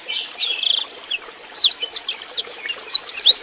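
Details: Clear blackthroat song offered for tutoring songbirds, with a trickling water sound behind it: a short burst of bright, steeply sliding whistles and a brief trill near the start.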